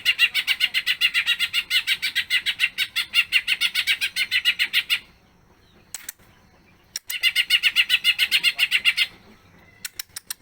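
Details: Energetic greater green leafbird performing a long song rich in fills: a fast, dense run of buzzy chattering notes for about five seconds, a quiet gap with lone clicks, then another two-second burst.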